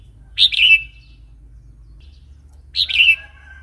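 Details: Wild-style song of a red-whiskered bulbul, for enticing and teaching new or young birds: two separate rolling phrases of three liquid notes, over a steady low hum.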